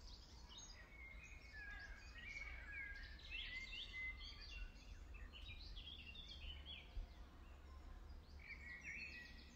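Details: Feeding European goldfinches at RSPB Ham Wall, Somerset Levels, UK, on 15 May 2023 trade quick, liquid twitters and tinkling chirps, busy and overlapping, over a steady low rumble of wind or distant traffic.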